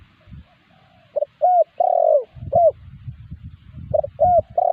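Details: Spotted dove cooing, used as a lure that wild spotted doves answer: low mellow coos in short groups, a quick note then a longer hooting one, with rustling and handling noise beneath.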